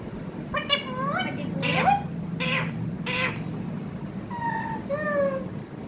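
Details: Pet parrot producing chattering, speech-like syllables in four rough bursts, followed by two smoother whistled notes with slightly falling pitch, against a constant low background hum.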